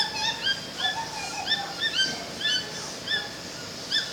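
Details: Two toucans calling together in Manaus forest, Brazil, giving bright, ringing yelps with a quick upward inflection, tumbling over one another about twice a second, some notes lower and softer, over constant natural background noise.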